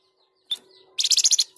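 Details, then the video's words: Flamboyan singing actively, as used for tutoring and luring other birds: a single sharp high chirp, then a rapid bright run of about eight buzzy high notes, with a final chirp. "Flamboyan Gacor Dor | Masteran dan pancingan paling dicari"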